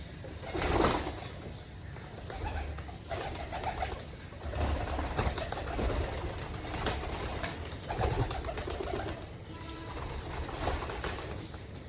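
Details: Many pigeons at a rooftop pigeon farm around breakfast feeding, giving throaty, repeated coos in loose waves every couple of seconds, mixed with wingbeats, scuffling and a steady background hum.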